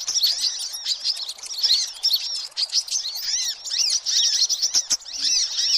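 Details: Boisterous sunbird twittering meant to attract all sunbird types; continuous high sharp chirps and downslurred notes from several birds, slightly thinning mid-way before resuming strongly.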